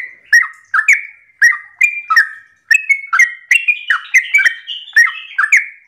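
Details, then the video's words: Sooty-headed bulbul giving fast 'ropel' song in the morning, used to make other bulbuls join in. About fifteen bright, bubbly phrases pour out steadily, with a few higher, thin whistled notes woven into the later part. "Pancingan trucukan gacor ropel pagi hari trucukmu pasti langsung nyaut"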